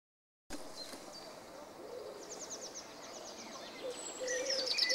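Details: A common chaffinch sitting high in a tree gives a bright, fast run of high repeated notes that tumble downward, among thin whistles and chirps from other birds in a busy outdoor chorus.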